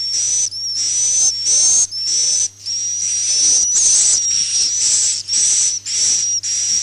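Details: Swiftlet roosting calls recorded in 2022 and used to lure swiftlets: high, hissy buzzing bursts over a thin steady whistle, repeating in a near-continuous chain with brief breaks.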